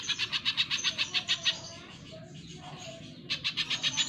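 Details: Spiderhunter (pijantung pisang) singing strongly in a training recording for cage birds: a fast series of scratchy chip notes, a silent break of about two seconds, then the rapid chipping starts again.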